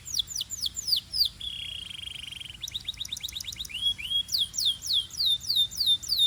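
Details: Belgian canary singing, with falling whistled notes in quick series, a buzzy sustained trill in the middle, then more rapid swept whistles.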